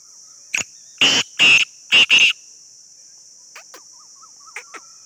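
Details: Black francolin giving a harsh call. A short note is followed by four loud, rasping notes in two pairs, then faint scattered chirps against a constant high insect drone.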